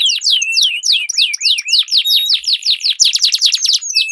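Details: Canaries in a singing duel, used as a lure to restart a silent bird and as a master for competition birds: fast high sweeping notes repeated in quick series, ending in a dense buzzy roll.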